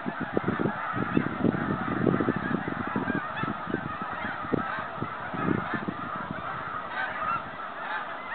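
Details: Migrating snow geese heading home in 2013: many birds honking together in a steady, crowded wash of nasal calls, with bursts of low pulsing thumps throughout.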